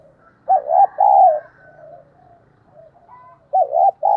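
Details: Cooing of a decoy spotted dove (cu gáy): two low, wavering coos, a pause with faint background sounds, then two more coos.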